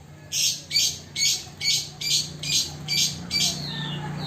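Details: Tame Chinese hwamei, or wambi, kept in a cage where it often bathes mornings and evenings, giving eight loud rasping, high-pitched notes in a steady series, about two per second, over a faint low hum.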